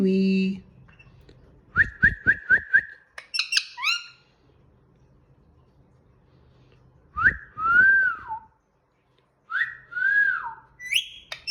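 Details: Green pet Indian ringneck parakeet whistling: a low voiced note, then a quick run of five sharp repeated chirps, a few high squeaks, and later loud swooping whistles that rise and fall, separated by quiet pauses.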